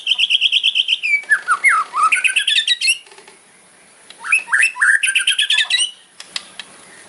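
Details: Aggressive fighter-style white-rumped shama song aimed at provoking rivals: rapid rattled bursts mixed with harsh, sweeping squawk-like phrases in two bouts separated by a brief pause.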